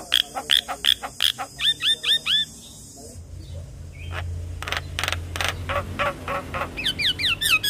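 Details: Energetic young Javan myna singing all day: a regular run of clear piping whistles and hooked chirps, a pause with low background hum, then scratchy chatter and a fast series of looping upslurred whistles.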